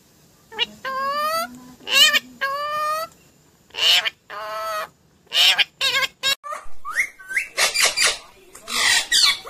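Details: Green Indian ringneck parakeet talking loudly: drawn-out harmonic syllables, then a quick jumble of harsh, clipped sounds and rising squeaks near the close.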